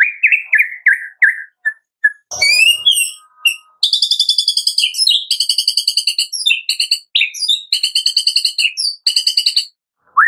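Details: Captive-bird lure of white-rumped shama song: a few whistled notes, then long fast stuttering rattles of clipped, ringing notes with brief pauses.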